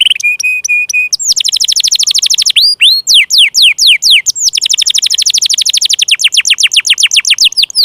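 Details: Lure song of a canary, played to spur silent or young canaries into song: a short steady whistled tone, then fast repeated downward-sweeping notes forming dense rattling trills.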